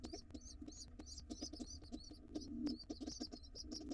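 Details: Begging from hungry wild pigeon nestlings after the father returns to their nest box; rapid, insistent high squeaks run throughout, with scuffling knocks and a brief low murmur near the middle.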